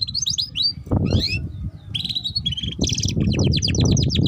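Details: Canary singing ngeriwik, a lure for young canaries learning to sing: high whistled slurs, a sharp click, then buzzy repeated trills building into a long rapid chatter, over low-pitched background noise.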